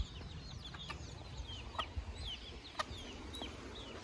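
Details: Baby chickens in Hawaii, dated 10.09.2021: several short, high, thin peeps slurring downward, scattered irregularly through the clip over a steady low rumble and background hiss.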